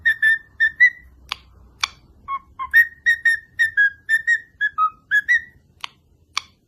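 Lovebird giving a rapid series of short, shrill whistled chirps, with a few sharp clicks between.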